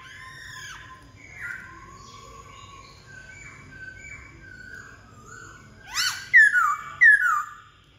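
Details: Black-throated laughingthrush song of soft, drawn-out whistled notes and slurs, ending in loud, bright, downward-sweeping whistles repeated about every second, with a faint low hum behind.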